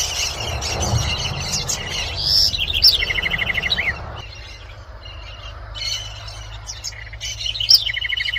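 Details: House wren song: quick bubbling phrases of rapid repeated notes and descending slurred trills, one long burst for about four seconds, a short pause, then another bright rattling phrase, with steady low background rumble.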